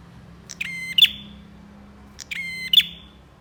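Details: Bar-winged prinia song: two buzzy, harmonic-rich phrases, each opening with a short note and ending in a sharp bright chip, about 1.7 seconds apart, over a faint low hum.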